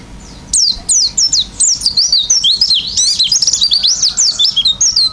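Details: Oriental white-eye singing energetically with open beak in the isian style: after a quiet half second, a continuous stream of sharp, high, zigzagging whistles and chips, steady and fast.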